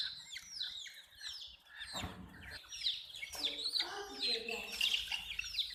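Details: Young chicks chirp in an overlapping chorus of high, falling peeps, broken by scuffling and handling noises and a lower rough sound near the middle.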